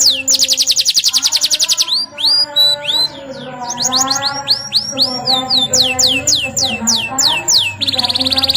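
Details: Caged canary in full, vigorous singing: a fast buzzy trill, then chains of sweeping downslurred whistles, rolling phrases and a closing rapid trill, high-pitched and continuous, with a faint background hum.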